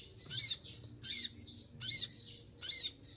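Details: Moulting olive-backed sunbird kept in a cage, singing despite losing its feathers: four loud, piercing chattering bursts, roughly one every 0.8 seconds, with quiet gaps between and a soft low background hum.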